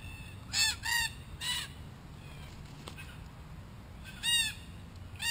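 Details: Wild red-tailed black cockatoos in Australia, a group exploring a camera: harsh grating squawks in a cluster of three, then a pause and two more, over a steady high hiss.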